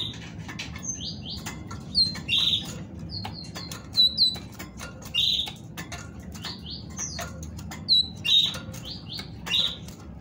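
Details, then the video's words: Female great tit singing to stimulate males to sing: clusters of high thin whistled notes and short upward slurs, in bursts every one to two seconds, over steady clicking and tapping. "تغريد أنثى طائر الحداد لتحفيز الذكور على التغريد"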